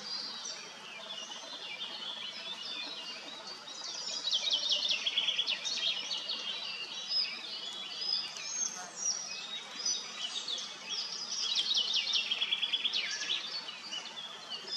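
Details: Bathing common starlings at Madocsa's Kápolnai kobolya, recorded on a Nikon P1000. Steady high chattering swells into louder bursts of rapid, buzzy, clicking chirps, with a few splashy sounds.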